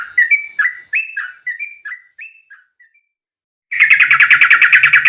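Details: Agitated fighting song of a yellow-vented bulbul: a falling series of spaced, slurred whistles fades out, then after a brief silence comes a dense, rapid, chattering roll of notes.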